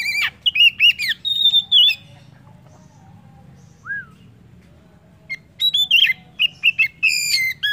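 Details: Oriental magpie-robin song for prompting other birds to sing: rapid whistled and slurred phrases with a sustained note, a pause broken by one soft downslurred whistle, then a long lively run of high whistles.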